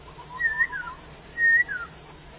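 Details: Wild laughingthrush singing two clear whistled phrases, each holding steady near one pitch and then slurring downward, separated by about a second of quiet; low background hiss.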